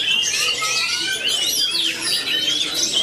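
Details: Competition-style 'matador' magpie-robin pouring out a rapid stream of high, shrill whistles, squeaky slurs and twittering phrases, continuous and loud through the whole stretch.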